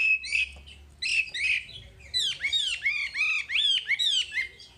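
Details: Wambi master song: a few harsh chattering notes give way to a string of clear, downward-curving whistles repeated about once or twice a second in an energetic phrase.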